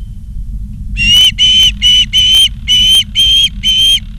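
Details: Ospreys of Charlo, Montana, on a live nature cam, 28 August 2023: seven evenly spaced, loud, piercing whistled notes about half a second apart, with steady low background noise.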